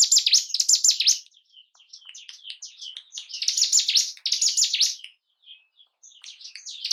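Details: Bar-winged prinia song used to stir breeding urge and aggression in caged birds: loud bursts of high, sweeping, buzzy notes alternating with softer scattered chirps.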